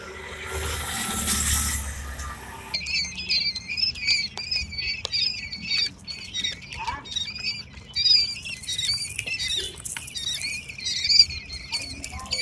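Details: Eight-day-old quail chicks giving many overlapping high peeping calls, short chirps repeated rapidly from several birds, after a burst of broadband noise at the start; low rumbling background throughout.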